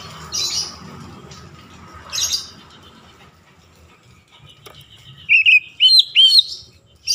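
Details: Oriental magpie-robin song used as a lure to provoke other magpie-robins into singing: mostly quiet background with a couple of hissy bursts, then a short run of clear whistled, slurred notes near the end.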